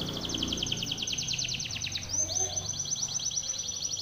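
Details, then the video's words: Timbrado canary singing a training song: fast, high rolling trills of about nine notes a second, broken by a rising sweep before the roll resumes, over a faint low hum. "TIMBRADO canary singing - Timbrado canary's most powerful song for training / canary training song"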